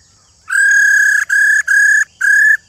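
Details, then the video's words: An old wild-caught female laughingthrush, whose call is played to stimulate males to sing, gives four clear, steady whistles on one pitch: a long opening note, then three shorter ones in quick succession. "Kích Trống Hót Căng"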